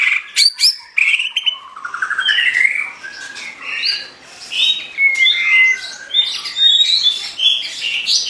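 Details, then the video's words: Lively white-rumped shama song with sharp opening clicks and a rising trill, followed by varied buzzy, warbling and whistled phrases at high pitch. A soft steady hiss runs underneath. "Duara burung mura gacor"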